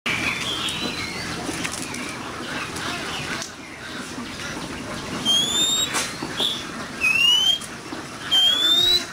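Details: Oriental magpie-robin in a fierce singing duel: after a noisy, murmuring first half, three clear upward-sliding whistles ring out, each about half a second long and spaced a second or so apart.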